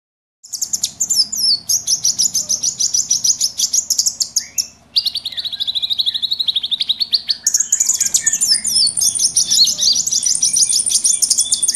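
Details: Noisy mixed chorus of small wild birds, used as a lure for trapping: dense high chirps and rapid trills overlap almost without pause, with sustained whistled notes and a brief gap near five seconds.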